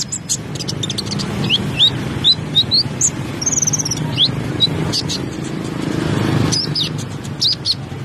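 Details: Brown-throated sunbird, or konin, singing vigorously: a string of rising high chirps and thin slurred whistles, spaced about every half second, against steady low traffic-like rumble.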